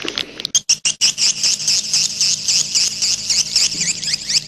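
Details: Grey-breasted prinia calling to draw in wild birds: a few sharp clicks, then a fast, even stream of thin, high twittering notes, four per second, with a faint hum beneath.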